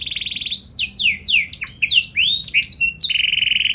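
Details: Canary in energetic, full song with special melodic turns, a song said to make other canaries answer at once: a buzzy pulsed trill, then rapid high swooping slurred notes, closing with another steady pulsed trill.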